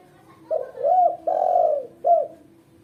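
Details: Female spotted dove kept as a lure and training model for other doves. It gives a clear, low cooing phrase: a short note, a longer swelling coo, a long steady coo and a brief final note, in a quiet setting.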